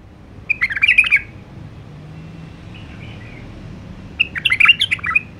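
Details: White-eared bulbul, called Iraqi nightingale, delivering two bubbly warbled phrases about three and a half seconds apart, with a faint soft note and low hum between them.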